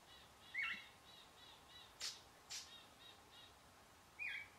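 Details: Flock of Least Sandpipers scurrying along a pond edge, with a couple of short, sharp, high chirped calls near the start and end, faint soft regular notes between, and two brief broadband bursts.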